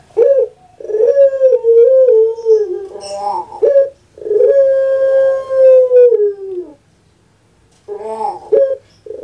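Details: Kept puter pelung dove cooing: long, steady, drawn-out low hoots that sag in pitch at the end, broken by a short gurgling roll, then another long hoot begins; a quiet room otherwise.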